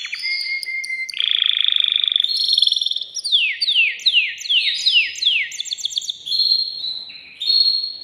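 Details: Male canary song meant to stimulate a female to mate: steady whistles, a harsh buzzy trill, then a series of falling sweeps repeated about twice a second and high chirps.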